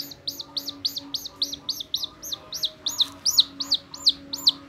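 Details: Pet chicken chick running up to its carer's fingers, not wanting to be apart. Clear high peeps, each sliding up then down, about three per second and growing louder, over faint low humming.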